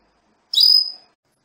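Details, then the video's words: Female Belgian canary, used to stimulate a breeding male, gives one brief, sharp, whistle-like chirp that trails off, with no other sounds. "FÊMEA FOGOSA PARA ESQUENTAR SEU CANÁRIO BELGA MACHO !"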